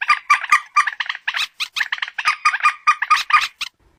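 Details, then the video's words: Mobile-phone recording of a common moorhen, locally peruk or mandar batu: a continuous stream of harsh, nasal clucking notes delivered in rapid pulses before stopping abruptly. "suara burung PERUK/ MANDAR/ TIUNG"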